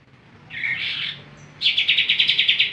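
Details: Caged greater green leafbird, a lively pet bird, sings: a soft, blurred high phrase, then a loud run of rapid, evenly spaced bright chirps, about eight in one second, over faint low background hiss.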